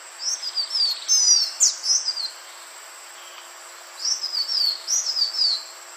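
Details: Green iora call used for luring birds: bright, high slurred whistles falling in pitch, run together in quick phrases, with a sharp high click-like note between groups and a pause before the next run; constant faint high background hum.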